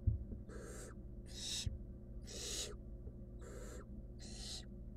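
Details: Five harsh hissing bursts from a wild barn owl chick in a nest box, gulping a rodent, spaced a little under a second apart, with a soft thump near the start.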